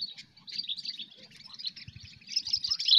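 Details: Sooty-headed bulbul in the cengkram style, kept for luring: a continuous, rapid, scratchy chatter of high notes that grows louder toward the end, with a few soft low thumps in the background.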